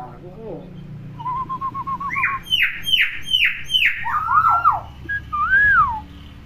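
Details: Tame pet hill myna, a clever talker that imitates many sounds, taken out of its cage to play before a bath: a quick run of even notes, then loud harsh rasping calls, then falling and rising whistles, with a soft hum behind.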